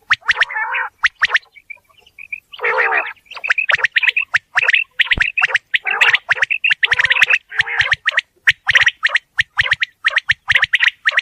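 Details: Quail recorded in a real environment with a long, busy stretch of calling. Harsh grating bursts give way to an almost continuous stream of rapid scratchy chirps.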